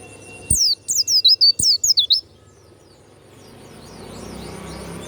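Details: Kept warbling white-eye of the Banyuwangi type, valued for a loud, open 'ngeplong' song: a quick burst of about ten high, thin, swooping whistles falling and wavering, lasting under two seconds, then quiet hiss.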